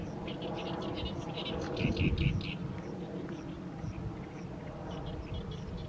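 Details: Evening song of an Oriental reed warbler in a fallow field in mid-May; a burst of harsh chattering notes early on, then sparser faint chirps above a loud low background drone.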